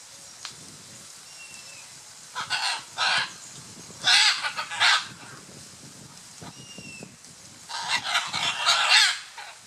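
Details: Courtship among scarlet macaws at Playa Blanca, La Palma, Osa Peninsula, Costa Rica. Raucous, grating squawks come in short pairs and clusters, with gaps of a second or more and faint background chatter between bursts.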